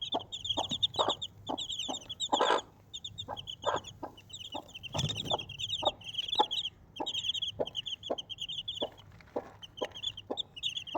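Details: Mother Desi chicken and four chicks: soft, regular low clucking from the hen about every half second, overlaid by busy shrill peeping from the chicks, with a brief rustle midway.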